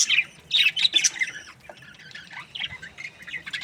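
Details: Budgerigars chirping: a busy run of sharp, squawky high chirps and warbles, loudest in the first second and a half, then softer scratchy chatter continuing to the end.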